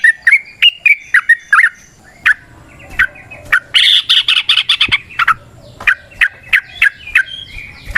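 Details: Yellow-vented bulbul singing in the wild, a lure for other birds: opening chatter of liquid notes, then a brief harsh rapid trill, followed by spaced sharp notes and clicks.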